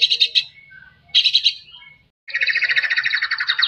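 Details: Energetic white-rumped shama song, used as therapy for shamas that rarely sing: two short chattering bursts separated by thin whistled notes, then a long continuous scratchy, buzzing rattle.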